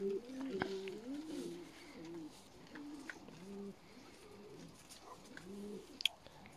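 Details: Juvenile peahens, young female Indian peafowl, utter quick low arched notes, loud at the start and then softer, with repeated short calls and a sharp click near the end.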